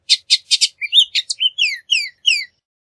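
A Bullock's oriole sings a quick phrase: four harsh, chattery notes, then a run of whistled, slurred notes falling in pitch. No other sounds.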